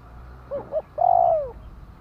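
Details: Single spotted dove phrase: two soft, short coo notes followed by one long, smooth coo that holds steady and then falls away at the end, in a quiet setting.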